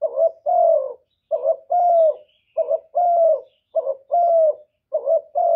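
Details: Spotted dove luring call from Vietnam, used to stimulate decoy doves. Mellow low coos in regular pairs: a short rough note, then a longer, gently descending coo, five pairs spaced about a second apart, clean and close.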